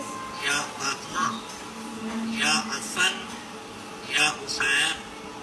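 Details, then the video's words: A parrot recites Surah Al-Ikhlas in a raspy, speech-like voice, in short bursts of words with brief pauses, over a faint steady hum. "طوطے نے سورت الاخلاص پڑھی"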